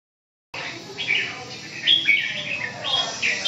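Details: Red-whiskered bulbul singing: bright, warbling whistled phrases with rising and falling notes, somewhat muffled, over steady background hiss.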